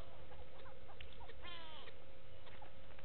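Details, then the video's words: At the Gowrie dam waterhole in Sabi Sand Wildtuin, South Africa, 06/06/18, a go-away bird gives a single nasal, downward-sliding call midway, amid faint scattered clicks and a constant low drone. "Go-away birds with audio"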